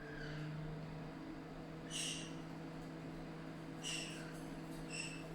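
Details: A pet ringneck parrot gives three short, harsh squawks about one to two seconds apart, over a steady low electrical hum in a quiet room.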